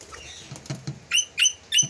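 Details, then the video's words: An aggressive rosella parrot gives three harsh, rasping screeches in quick succession, under half a second apart, after a few soft taps and rustles. "aggressive rozila parrot"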